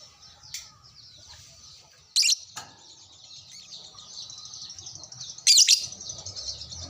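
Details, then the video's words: A lovebird replying to another gives a long, rising stream of rapid, buzzy high chatter, broken by two loud shrill squeaks. "sekali pancing langsung nyaut burung LOVEBRID Lain"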